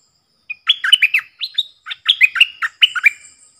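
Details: Decoy stripe-throated bulbul in doubled-style song meant for young birds to copy and to attract wild birds, giving a lively run of clear, bouncing whistled notes in several short groups with brief gaps, ending in a faint thin tone.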